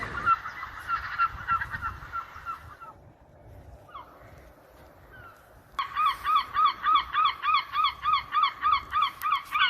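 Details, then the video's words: Seagulls calling over ocean sound: a run of harsh, harmonic, down-slurred notes, a pause, then a fast, even series of about three calls per second, steady and loud, over low rushing surf. "Seagulls | Seagull Sounds"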